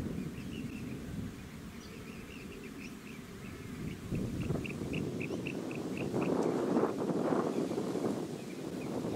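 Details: Rainbow bee-eater (Merops ornatus), Bribie Island, Queensland, October 2019: a regular string of brief rolling chirps, roughly four a second for several seconds, then rising wind buffeting drowns the later part.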